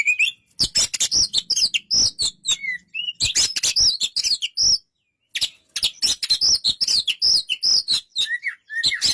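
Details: White-rumped shama in a rapid, energetic song: dense bursts of harsh clicking chatter mixed with short bright whistled notes, a brief silence near mid-point, then the busy medley resumes.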